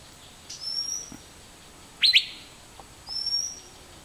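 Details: Asian fairy-bluebird giving one loud, sharp double whistle in the middle, while another bird's very high, thin drawn-out whistles sound before and after.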